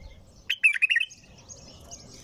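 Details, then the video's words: A bulbul gives a short, rapid, warbling song phrase of linked liquid notes, followed by faint high chirps and low background rumble. "تغريد بلبل طور بدون توقف"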